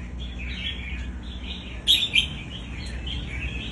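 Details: Caged red-whiskered bulbul whose song is played to teach young birds: continuous chattering, chirpy warbles with a louder ringing double note near the middle, over a constant low mechanical hum.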